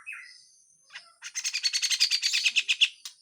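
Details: Grey-cheeked bulbul, harsh full song with besetan: a soft buzzy note, then a dense, fast chattering rattle of about twelve pulses in two seconds.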